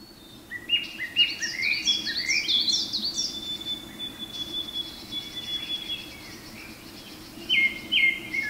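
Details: Male Japanese thrush singing in a forest at Garyuzan, Hiroshima, Japan, on 23 May 2019 as morning sun begins to enter; loud, varied whistled phrases of quick downward slurs, then a long thin whistle and a later burst, with other forest birds faintly.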